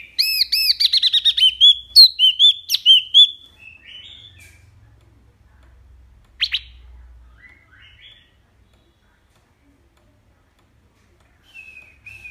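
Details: Mini wambi giving a loud, clear song used as a master for other songbirds: a fast rippling run of looping notes and a few sharp whistles, followed by long near-silence with scattered soft chirps.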